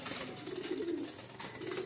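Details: Cooing of domestic pigeons at their loft before flying free: a soft, low murmur rising and falling in two bursts under broadband background noise.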